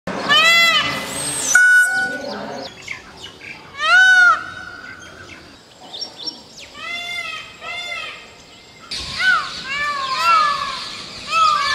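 An Indian peafowl gives loud, nasal, wailing calls in short bursts of two or three, repeated every few seconds over a low outdoor hiss.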